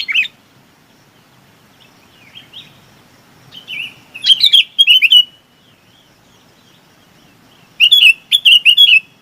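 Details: Chinese babax calling to gather its flock, giving loud slurred whistles with sharp clicky onsets in clustered bursts of three to four notes, separated by quiet gaps and softer, lower-level whistled fragments.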